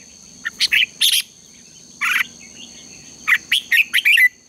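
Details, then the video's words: Red-whiskered bulbul singing a fighting-style contest song, used as a lure to stir caged birds to sing in the morning: loud, rapid bursts of bright, warbling notes, ending in a quick rolling phrase. "Luyện chào mào hót sáng | chào mào hót đấu"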